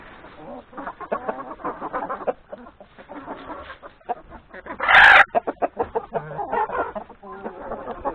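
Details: Flock of hens with three roosters feeding in the yard ahead of grazing in the forest, steady overlapping clucking with one sudden loud harsh squawk midway, then clucking resumes.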